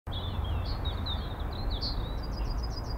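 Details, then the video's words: Male yellowhammer (Emberiza citrinella) singing atop a fir tree in a suburban Cambridge garden about 30 m away on a windy day: a thin, high series of quick repeated notes speeding into an even run, over low rumble. "Yellowhammer (Emberiza citrinella) (M) - singing"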